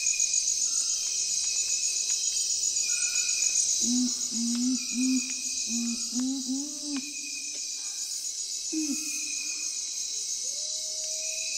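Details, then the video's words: Low, soft hooting series from a nocturnal curassow, repeated notes of nearly even pitch, with a final slurred note near nine seconds. Shrill crickets and other insects buzz continuously in the background. "Urumutum (Nothocrax urumutum)"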